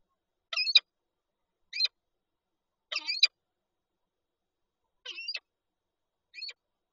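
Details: Peregrine falcon pair at the Lublin nest in Poland, egg present, 19 March 2022: five rough, squeaky double calls at uneven intervals of about one to two seconds in silence.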